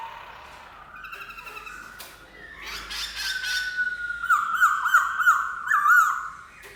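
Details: Black-throated laughingthrush giving a sustained whistled song. Soft notes open it, then a loud, steady, looping whistle is repeated several times toward the end, over a faint background hum.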